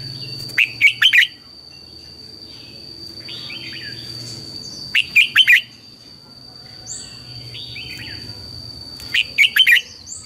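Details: Red-whiskered bulbul morning song for training caged birds: short, loud, warbled phrases of several notes, repeated about every four seconds, with fainter slurred chirps from other birds between them and a steady high-pitched whine.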